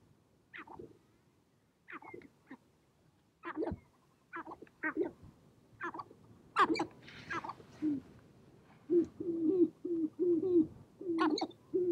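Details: Sharp-tailed grouse gathered on a prairie hilltop in spring, dancing and fighting to attract females; scattered sharp clicks and chattering cackles, then a run of short low hooting coos near the end.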